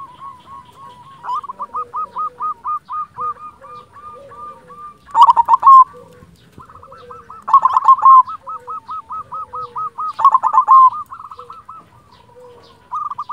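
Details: Long bout from a local silver zebra dove: strings of quick, hooked staccato coos, each series broken by a loud, rattling burst, with a softer lower tone running beneath; roughly twenty-five phrases a minute.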